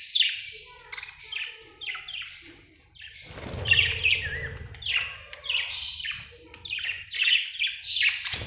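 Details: Happy budgie chirping: a continuous stream of high, fast, scratchy chirps and warbles with short rising notes, plus a low rumble of background noise around the middle.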